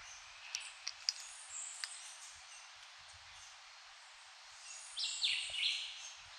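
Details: Puerto Rican subspecies of red-legged thrush uttering one brief rough, chattering call late on, after a few faint ticks, set against a constant high-pitched background hiss.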